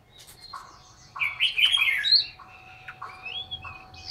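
A Chinese hwamei sings a loud, varied run of rich whistled and warbled phrases, rising and sliding, over a faint steady hum and low background rumble.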